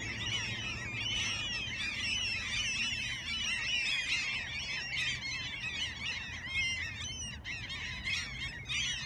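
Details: Gulls in Alaska in a busy chorus of shrill, wavering cries mixed with sharp clicking bursts, continuous over a low rumble.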